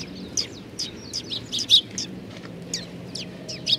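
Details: Young sparrows gathering at food, Nakanoshima, Tenmangu shrine, 25 May 2020: short bright chirps repeated irregularly, several birds overlapping, over a low steady background rumble.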